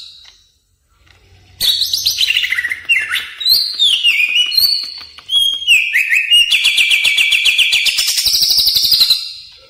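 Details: Greater green leafbird (cucak ijo) lure sound for training caged birds: after a quiet start, varied swooping whistles and downward slurs, then a fast, high, rattling trill held for several seconds.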